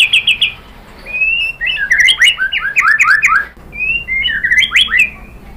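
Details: White-rumped shama singing to prompt other birds to sing: short opening trill, then varied slurred whistles and chattering phrases rising and falling, with brief pauses between bursts.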